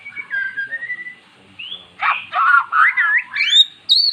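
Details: A formerly mute magpie-robin, prompted with played-back magpie-robin song, sings soft low whistles, then after a gap a run of loud, varied swooping whistled notes rising to high upslurs.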